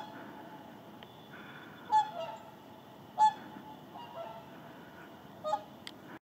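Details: Whooper swans of a resting flock in the Indalsälven delta, stopping before travelling further south; three clear separate nasal honks about a second apart plus softer distant calls over a low hum.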